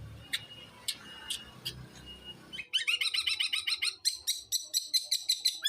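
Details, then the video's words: Long-tailed shrike in full 'los trotol' song. A few faint sharp ticks come first, then a sudden dense burst of rapid, high, jumbled chattering notes that keeps on without pause. "BURUNG CENDET GACOR SUARA LOS TROTOL"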